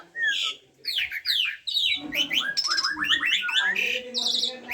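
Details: Song of an Asian pied starling: descending whistled slurs followed by dense rapid chattering, rasping bursts and bright sweeping whistles.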